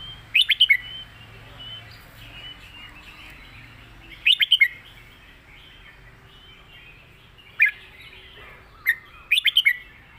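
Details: Red-whiskered bulbul, a competition singing bird, in a clear master-song style: short bright warbled bursts of three to five rapid notes, spaced several seconds apart over a quiet background with a faint low hum.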